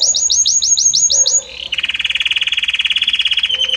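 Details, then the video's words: Belgian canary in harmonious, varied song: a quick chain of high repeated chirps gives way to a long, steady rattling trill at lower pitch, each note pulsing rapidly. "Magnífico Como canta este Canário Belga!"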